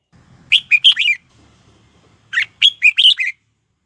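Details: Red-whiskered bulbul used as a lure bird, singing to draw wild birds to fight, 2022: two quick phrases of four or five bright, warbled notes, separated by a pause of about a second, over a faint low rumble.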